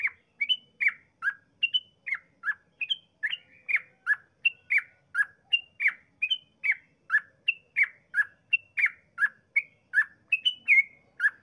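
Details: Vocal yellow-vented bulbul in extended rapid song, a lure to make other bulbuls sing quickly: an unbroken chain of short, sharp, bubbly notes, roughly three per second.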